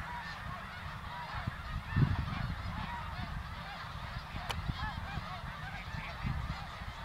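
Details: Hundreds of thousands of greater snow geese migrating over Ottawa, Canada, in fall 2021; a softer, more distant wash of overlapping honks with a few brief thumps and a low rumble underneath.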